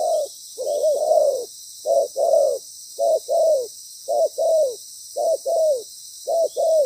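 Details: Spotted dove decoy, loud and well-patterned, in ground-bait trapping; paired low coos, the second longer and falling, repeated steadily through the recording with faint constant hiss.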